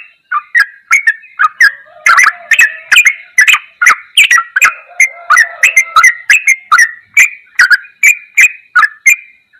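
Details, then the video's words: Tutor recording of a yellow-vented bulbul in ropelan goklikan style: fast, continuous bubbling chatter of clicky, warbled notes over nearly ten seconds, a faint lower hum underneath at times. "MASTERAN TRUCUKAN TERBAIK || ROPELAN GOKLIKAN TOP"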